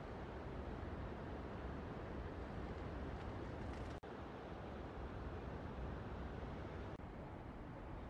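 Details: Steady broadband rushing noise of wind or water throughout, with two brief dropouts and no animal calls.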